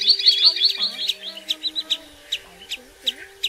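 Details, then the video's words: Common greenshank calls used as a lure for night netting of migrating birds. Opens with a quick burst of high, sharp notes, then spaced single piercing notes roughly every third of a second, over a steady low hum. "Tiếng Choắt Bụng Trắng"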